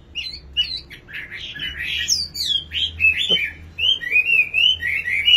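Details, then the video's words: Nightingale in song, with quick varied chirps and squeaky slurs that give way to a string of evenly spaced rising-falling whistles, over a low background hum. "Singing nightingale. amazing bird song"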